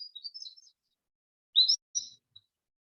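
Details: Cordilleran Flycatcher, a species that breeds in the Spring Mountains of southern Nevada, giving its two-part call: a sharp upslurred note, then a briefer second note, with faint high chirps before it.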